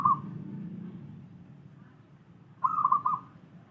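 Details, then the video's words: Zebra dove of a local wild strain sings. The end of one trilled coo is followed by a pause, then a fuller half-second quavering, bubbling phrase, over a constant low hum. "masteran suara burung perkutut lokal alam malas bunyi"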